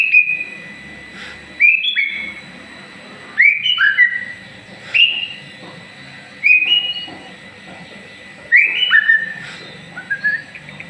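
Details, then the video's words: Moulting white-rumped shama, a would-be contest champion, delivering loud whistled phrases: rising and falling clear notes in bursts every couple of seconds, separated by brief silences, over a faint low hum. "burung murai baaatu calon jura. semngat menhdapi bulu baru"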